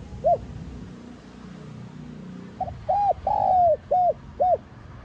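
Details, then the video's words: Spotted dove with a "son" voice giving calling-and-urging coos used to stir other doves: a single soft, hollow note, then a run of four arched coos with one drawn-out note in the middle, low and mellow. "Tiếng Cu Gáy GIỌNG SON [ GÁY GỌI - THÚC ]"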